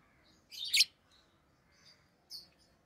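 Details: Rosy-faced lovebirds kept as pets, orange-faced green and red-headed green varieties: a harsh, rasping burst of high chirps, then a lone thin squeak a moment later in a quiet room.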